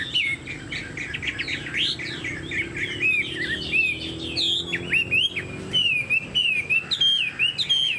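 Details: Hwamei, a caged songbird posed upright with a fanned tail. It sings energetic, varied song: dense clusters of sharp slurred whistles, then looser repeated downward-curving notes. A faint low background drone is present.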